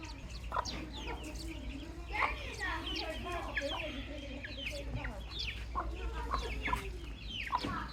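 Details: Chicks calling steadily, many thin, high peeps over a murmuring, lower chatter and a low rumble, the calls irregular and overlapping throughout.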